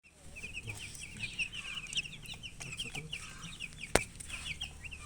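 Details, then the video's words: Baby chickens thirsty for water chirping: a dense chorus of short, high, sharp peeps, many overlapping and repeated rapidly, with one loud click near the end. "Murgi chicks Chirping sounds with thirst for drink water"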